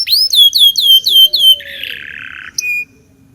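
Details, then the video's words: Local canary used to teach young canaries to sing, giving a short run of five or six descending whistled notes. A harsh buzzy rattle follows, then a brief high chip and a single flat whistle. "Suara Burung kenari lokal super gacor bagus untuk pancingan kenari belajar bunyi"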